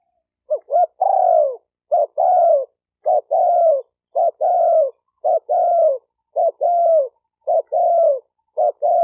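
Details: A spotted dove coos rapidly to stimulate males and females. About eight quick phrases in a row, each a clipped double note then a held, falling coo, at a brisk even pace with nothing else heard.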